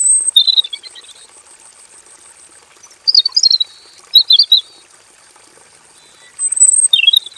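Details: Aviary-kept male robin delivering long rolling song full of phrases: high warbled bursts opening the clip, more around 3 and 4.3 seconds, and another after 6.5 seconds, separated by silent gaps over a continuous thin hiss.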